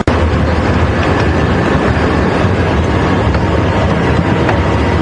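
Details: Loud, steady engine rumble and broadband road noise from a safari vehicle driving at Djuma Game Reserve on an afternoon drive; no animal calls.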